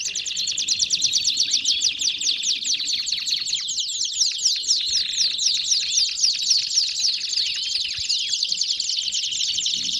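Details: Belgian canary in song, a sustained, dense rolling trill of sharp high notes delivered very rapidly and almost without pause, with slight shifts in pitch and texture throughout.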